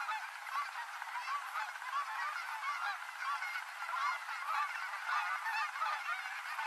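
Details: Canada geese arriving from cruising height to land on the Rogue River, Oregon, at dusk; a steady, crowded wash of honks, individual calls briefly standing out every second or so.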